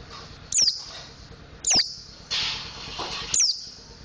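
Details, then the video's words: Mountain white-eye learning the ngriwik and ngeplong song styles: three sharp, high, downslurred chirps spaced over one second apart, a brief hissy burst between them, over faint steady background hum. "Burung Pleci Montanus Belajar Ngriwik Ngeplong"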